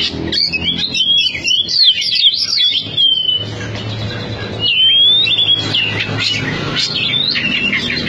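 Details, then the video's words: High-speed song of a caged Oriental magpie-robin, a former top competition bird in Cianjur. It gives looping whistled slides and sharp chirps with brief pauses, backed by a low droning background noise. "SUARA KACER NGOTOT"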